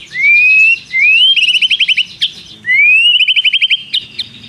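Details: Vigorous white-rumped shama song imitating a prinia's long trill: twice, a slow rising whistle runs into a rapid string of sharp repeated notes, with brief high ticks between phrases.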